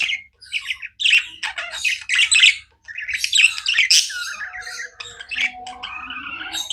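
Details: Pet budgerigars chirping nonstop indoors, a dense jumble of harsh squawks, buzzy warbles and short bright chirps overlapping with few pauses, from several birds at once.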